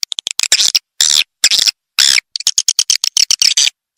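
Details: Swiftlet lure calls for attracting swiftlets: fast dry clicks and short buzzy chattering twitters in bursts, with brief silent gaps between the phrases.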